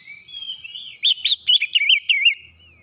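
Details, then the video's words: Oriental magpie-robin song aimed at a lazy bird; a faint rising whistle leads into a tight string of loud, bouncing whistled notes. "kicauan cepat merubah Kacer malas bunyi naik emosi bongkar isian"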